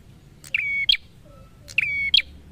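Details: Two clear prenjak (prinia) song phrases, each a short buzz sliding into a sustained level whistle and ending on a bright, sharp note; quiet low rumble underneath.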